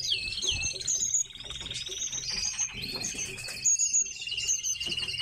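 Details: Captive tits calling constantly: thin, high twittering notes, quick descending chirps and a drawn-out whistle that drops in pitch midway, with occasional low bumps.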